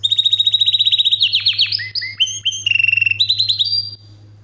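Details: Yorkshire canary in powerful non-stop song: a loud, fast trill of about a dozen rapid notes, then varied rolling tours and sweeping whistles, over a low steady electrical hum.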